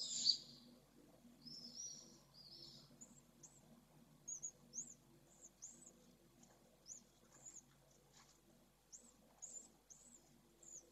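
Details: Swift nest webcam in Jerez, Spain, at the first hatching: a brief buzzy squeal, then thin, very high cheeps repeated irregularly every second or so over a low, steady hum.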